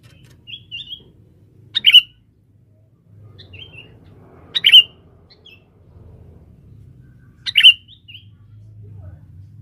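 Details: Lure call of a male sooty-headed bulbul in forest, meant to draw females: three loud sharp chirps about three seconds apart, each preceded by soft, twittering, higher notes, with low rumble behind.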